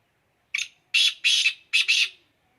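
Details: Black francolin calling at Khushab, Pakistan: four loud, harsh, grating notes, a short one then three longer rasping bursts, the last two joined, over about two seconds against a silent background.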